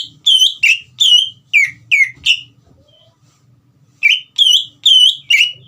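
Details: Caged green leafbird singing energetically to stir a young speckled bird into song: strong whistled slurred notes in quick series, a short silent gap, then another run of bright whistles; faint low hum beneath.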